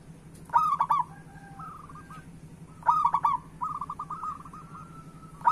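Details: Zebra dove of local type singing to draw song from other doves: two loud bursts of fast, clipped coos about two and a half seconds apart, each trailing into softer, even coo series from other doves; steady low hum.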